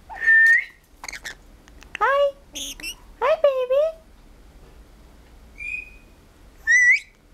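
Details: Pet blue-headed pionus, a male parrot kept indoors, talking: several short, clear, speech-like phrases with whistled rising and falling tones, separated by pauses, in a quiet room.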